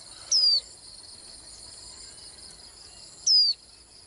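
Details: Swinhoe's white-eye giving two sharp, high descending whistled notes roughly three seconds apart against a continuous shrill insect drone.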